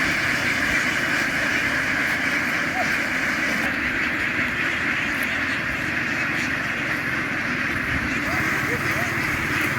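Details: A flock of farm ducks runs ashore and boards a boat, together making a dense, steady droning hum like a swarm of bees, with faint scattered quacks rising out of the din.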